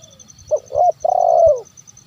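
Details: A single phrase from a zebra dove, meant to lure wild birds: two short rising coos, then a prolonged burry note that slides downward, loud and close.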